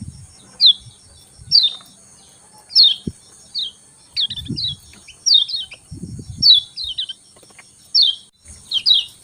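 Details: Lemon-bellied white-eye singing in the morning: sharp, high downslurred chirps in quick bursts, about ten short phrases spaced roughly a second apart, over a steady high-pitched whine with occasional low thumps.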